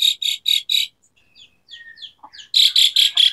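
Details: Asian pied starling song used to coax quiet starlings into singing. Four raspy bursts lead into scattered soft whistles and chips, then the quick buzzy bursts resume.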